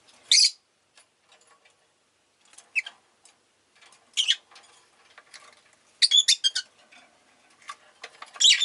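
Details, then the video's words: Several pet rosy-faced lovebirds calling actively: sharp, harsh shrieks in short bursts, a quick cluster of chirps near the end, with soft faint chatter and quiet room noise between calls. "Lovebird Chirping Sounds"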